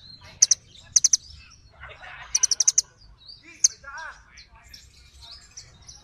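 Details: Small birds trade single chirps and short bursts of three to five high notes, mixed with softer, varied twittering and a few lower warbled notes.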